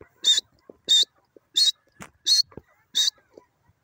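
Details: Grey francolin from Pakistan: five short, bright, clipped notes at an even pace, about one every 0.7 seconds, with faint low rustles and thin ticking between them.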